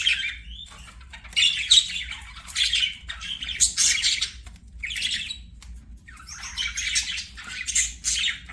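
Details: Budgies chirping and warbling as they play, giving scratchy, buzzy phrases mixed with short rising whistles and squawks, in uneven bursts broken by brief quiet gaps.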